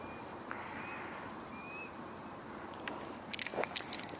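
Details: A juvenile Red-tailed Hawk in flight on the Cornell University campus, Ithaca, New York, on 3 July 2018 gives thin, high, slightly rising whistles, four in under two seconds, over a soft hiss and clattering knocks at the end.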